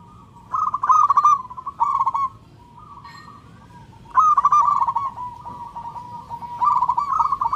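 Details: Local zebra dove calling loudly for a mate: several bursts of rapid, rolling trilled cooing at an even mid pitch. There is a quieter, flatter stretch in the middle, and the last phrase grows stronger.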